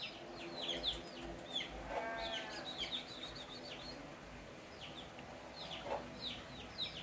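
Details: Tame wild Javan myna sharing space with people: quick descending chirps in loose bursts, with a short nasal bleat-like sound around the middle and low background rumble.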